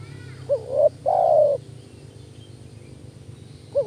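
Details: Spotted dove lure call: one phrase of a short rising coo and a longer level croon, low hum in the background, and the opening note of a further phrase at the end.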